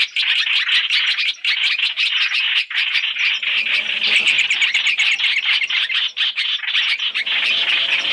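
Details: Chinese hwamei sounds from a trapping lure combining three recordings: loud, dense, rasping chatter running almost without gaps, with sharp clicking notes scattered through it.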